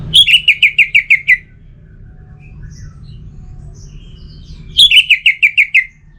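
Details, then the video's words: An orange-headed thrush (Geokichla citrina) gives two bright phrases of about seven quick, ringing notes each, slightly falling in pitch, separated by a few seconds of low hum. "Burung ANIS MERAH"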